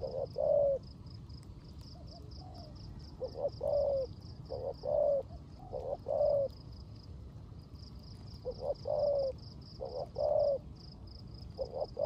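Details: In rain, a spotted dove used as a decoy delivers 'rước gù' cooing: low double coos, short then long, in bursts with a pause in the middle, while a thin high ticking runs behind.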